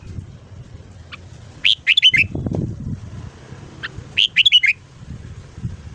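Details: Morning song of a red-whiskered bulbul, played to stir a newly caught bird into long singing: two quick bubbling phrases of four or five bright notes, each preceded by a thin note, with low rumble between.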